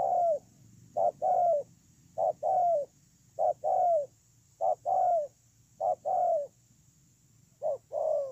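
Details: Decoy spotted dove on the ground, recorded 8/10/2018, repeating double coos, a short note then a longer curved coo, seven pairs at a regular rhythm with a brief gap near the end, over a faint hum.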